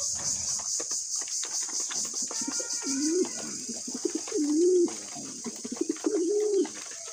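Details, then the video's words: Pigeons kept as pets, cooing while they eat: three separate low, rising-and-falling coos, each about half a second long, come roughly every one and a half seconds against a constant high hiss. "Beautiful birds pigeon"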